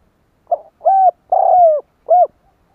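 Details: Spotted dove cooing to lure wild doves: four low hollow notes, a brief lead-in, a steady coo, a longer coo dropping at the end, and a short closing coo, clean and close.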